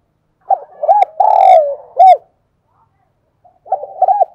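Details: Spotted dove kept as a decoy to get young birds singing: a clear cooing phrase with a long rolling middle note and a sharp end note, then a second phrase starting.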